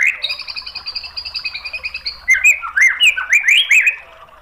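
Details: Song of a white-rumped shama, played to goad other shamas into replying: a long run of quick, high, even chips, followed by loud, swooping whistled notes that rise and fall.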